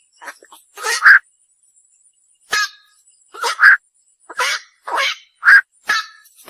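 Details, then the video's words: Night heron calling: harsh, hoarse croaking quok notes given in short bursts, several in close pairs, about nine calls across six and a half seconds with a quiet pause near the middle; no other sounds. "বাকচু পাখির ডাক / অক পাখির ডাক / বাকচো পাখির সেরা ডাক / Bukcu pakir duk/ Night Hiron Bird call"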